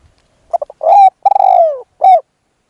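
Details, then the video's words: Spotted dove used as a decoy to lure a wild dove: a cooing phrase of two quick short notes, a longer note, a drawn-out coo that slowly falls, then one final rounded coo, all clean with no background sound. "ต่อนกเขาใหญ่ พลาดเฉลยเสียงดีครับคารมสุดยอดครับ"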